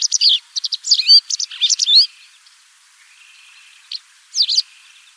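White Wagtail giving sharp, high two-note chirps in quick bursts, with a thin twittering run and a faint high trill between them.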